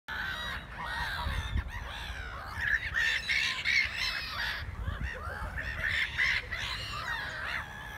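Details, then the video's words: On 4 February 2019 a noisy flock of black-headed gulls gives harsh, grating calls that overlap continuously, with a low background rumble underneath. "Kokmeeuwen brengen lawaai mee"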